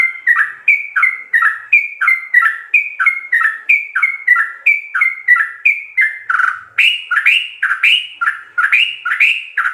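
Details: Sooty-headed bulbul in 'ropel' song with full fill-ins, a master recording for tutoring caged birds: long steady run of rapid chirps dipping and rising, turning louder and slightly higher toward the end, background quiet.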